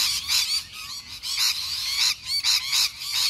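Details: Noisy wild lorikeets in Melbourne's suburbs, Australia, producing loud, dense, shrill screeching in rapid overlapping bursts, with only short breaks between the raucous calls.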